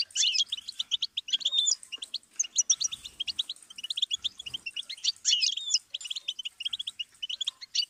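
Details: Goldfinch song played as a learning stimulus for chicks and songbirds: rapid, continuous high twittering of short chirps and buzzy notes, with brief pauses near two and five seconds.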